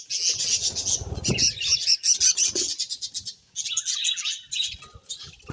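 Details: Budgerigars warble and chatter in high, rasping phrases with a few clear whistled notes, over light fluttering and tapping.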